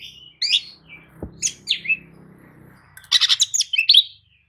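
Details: Oriental magpie-robin bait song, meant to rouse sluggish magpie-robins into answering: bright whistled phrases with sweeps and trills in two bursts, a quiet gap between them, a single low thump and a faint low hum underneath.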